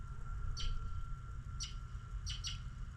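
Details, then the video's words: Birds on a snowy morning give four brief, bright high chirps, one alone, one a second later, then a quick pair near the end, above a continuous low background rumble and a faint steady tone. "Snow an Birds Chirping"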